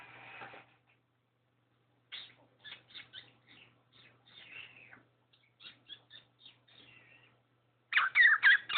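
A cockatiel chatters in quick scratchy chirps and squeaks, ending in a loud burst of harsh calls.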